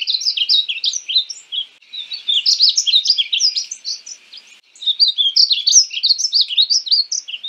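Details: Painted bunting song in three lively bursts, each a fast tangle of high sweet chirps rising and falling, separated by short quiet gaps.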